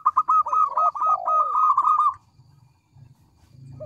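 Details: Local zebra dove giving a two-second burst of rapid rolling coos with a lower curved note beneath, then quiet.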